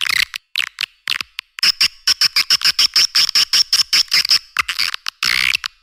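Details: Edible-nest swiftlet lure call for attracting swiftlets to caves and farmed nesting sites: rapid dry chattering twitters in dense bursts, with a thin sustained high tone through the middle; low frequencies absent.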